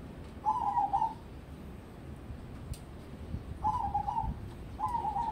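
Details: A crossbred perkutut zebra dove, a prospect for contests, sings three rolling stuttered coo phrases, one early and two later about a second apart, against a steady low background noise.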